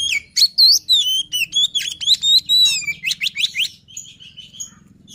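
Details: White-rumped shama luring song, a rich run of loud whistled and slurred notes between about 2 and 8k, several rapid upward-sweeping phrases in quick succession, with a faint low hum underneath.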